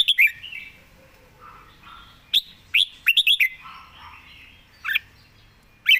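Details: Red-whiskered bulbul singing at ease with quick, good phrasing: loud clipped whistles open the phrase, a soft lower warble follows, then a rapid run of four notes and scattered sharp calls.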